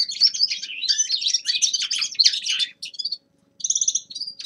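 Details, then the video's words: Winter singing from a young male linnet: rapid twittering warble of buzzy and chattering notes, a brief pause, then a short run of fast trilled notes. "Распевка Реполовов песня Carduelis cannabina birdsong"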